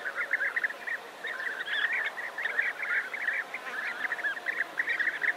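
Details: A large colony of European bee-eaters near Navalcán, New Castile, Spain, calling together in a continuous overlapping chorus of rolling, liquid 'prruip' notes, with a guitar playing faintly in the background.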